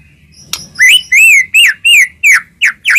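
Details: Singing white-rumped shama meant to provoke other shamas into answering: a sharp click, then a series of loud clear whistles, each arching up then down, about one every half second.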